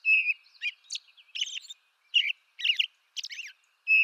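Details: American robin singing in eastern North America: short warbled phrases of clear, slurred whistles mixed with thin, squeaky high notes, in bursts about half a second apart, with no other sounds.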